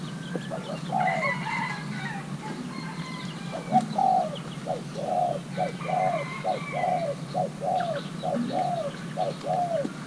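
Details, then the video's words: Young male Thai-hybrid spotted dove pairing with a mate, giving a repeated series of soft, hollow cooing notes, each slightly falling, about ten in quick succession, with faint chirping of other birds in the background. "Kích xem nước chơi của gáy thái lai trống tơ đang ghép đôi"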